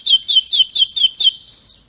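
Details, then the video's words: Canary in strong, faultless training song: six bright, downward-sliding whistled notes repeated about every quarter second, then a soft fading tail. "canary singing تغريد قوي جدا وبدون أخطاء لتسميع الكناري"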